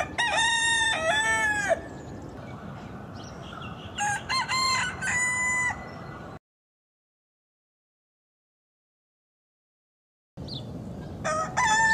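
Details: Rooster crowing compilation: several crows with wavering, broken harmonic notes over steady hiss, a stretch of silence, then another crow begins.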